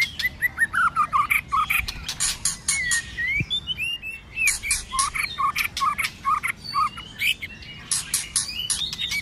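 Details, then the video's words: A White-rumped shama delivers an intense multi-voiced fighting song in cold weather, with tail flicking. Looping, rising and dropping whistles are interleaved with regular sharp clicks, almost every half second. "Kích Chòe Lửa hót căng tạch đập đuôi sổ nhiều giọng. kích chòe Lửa hót đấu"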